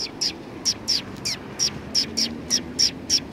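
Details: Sparrows flying in to be fed on 18 November 2019, giving short high chirps repeated about three times per second in a steady, slightly uneven rhythm over a quiet background.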